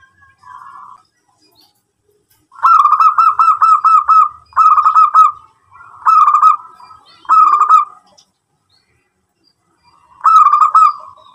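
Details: Local-type zebra dove singing actively, its song used to lure other doves into answering: five bursts of rapid, rolling cooing notes, each lasting about a second, separated by short pauses, after a faint opening coo.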